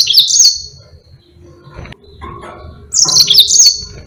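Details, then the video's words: Yellow-fronted canary (Mozambique), a captive bird kept as a song tutor for other birds, giving two bright high trilled phrases, each about half a second, with sliding whistled notes, separated by a quiet gap with faint background rumble. "Burung Mozambique GACOR NGEROL PANJANG sangat Jitu buat masteran"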